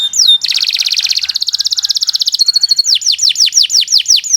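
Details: Long, loud training song of a Kenari Nusantara canary: one swooping whistle, a rapid buzzy trill of about twenty notes, a short sharp chatter, then a row of ten clear descending whistled notes.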